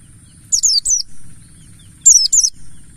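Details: Mountain white-eye, buxtoni form, singing as a lure: paired bright whistled notes dropping in pitch, two such pairs about one and a half seconds apart, with a low electrical-like hum behind.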